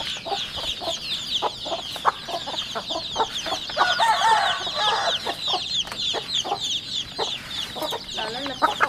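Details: Forty-day-old home chickens calling as a group: continuous overlapping high peeps, scattered lower clucks, and a busy background of scratching and movement.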